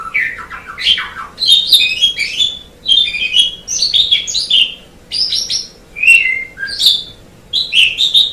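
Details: Asian pied starling singing lively phrases of twittering, clicking notes and bright slurred whistles, grouped into bursts with brief gaps between them.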